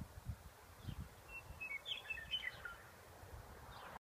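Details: A Western Meadowlark in spring in Colorado gives a brief run of clear, flute-like whistles that tumble downward into a quick warble, over a low rumble of wind.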